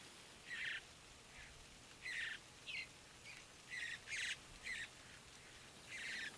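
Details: Mountain Bluebird juveniles being fed at dawn in Great Sand Dunes National Park, Colorado, give rasping, buzzy calls in irregular clusters, some doubled, with quiet gaps between.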